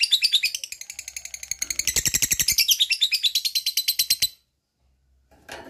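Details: Lovebird ngekek, the long chattering song: a rapid run of harsh high chirps for over four seconds, then a sudden stop, brief silence and a short noisy burst at the end.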